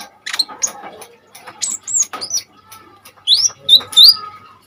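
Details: Energetic Common iora (konin) song, played as a master recording for tutoring kolibri ninja birds: scattered sharp whistled notes, some rising and some falling, mixed with short scratchy chips and clicks.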